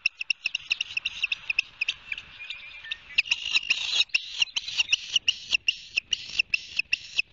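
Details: Osprey around its nest at Barnegat Light, New Jersey, on 29 June, giving long runs of clipped, whistled chirps, rapid and uneven, growing denser midway.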